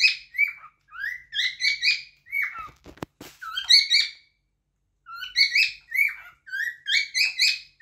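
A cockatiel sings a run of clear rising and falling whistled phrases, bright and warbled, with a brief rustling burst midway and a short pause before it resumes.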